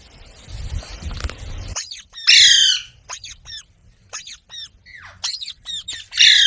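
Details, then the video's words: Parrot that mimics human speech gives loud, harsh harmonic squawks and shorter clipped syllables in uneven bursts, after an opening of low background noise. "Talking parrot video| Parrot sounds videos Compilation | mitthu mitthu | parrot voice"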